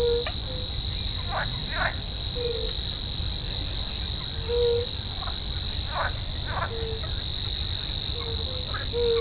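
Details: Savi's warbler singing in a reedbed: a steady, high, insect-like buzzing reel held without a break throughout, over repeated frog-like croaks and low hum.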